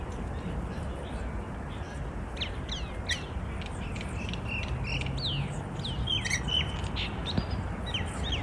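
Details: Wild rainbow lorikeets visiting a balcony in Melbourne, Australia, several birds bickering together. They give short, sharp squeaky chirps and slurred notes in quick scattered bursts. The calls grow dense after two seconds over a steady low rumble of background noise.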